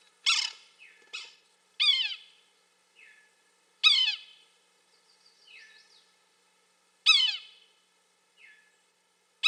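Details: Yellow-bellied sapsucker giving loud, nasal, mewing calls that slur downward with rich harmonics, repeated about every one to three seconds, with softer short notes in between; background otherwise quiet.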